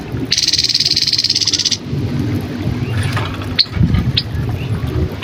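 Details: Grey-headed canary-flycatcher singing for training cagebirds: a high buzzy trill of quick regular pulses lasting about one and a half seconds, then a single sharp chip amid low background rumble.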